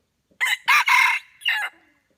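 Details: A cockerel gives a brief, harsh crow in four bursts, with the longest note in the middle and a short ending, and nothing else audible.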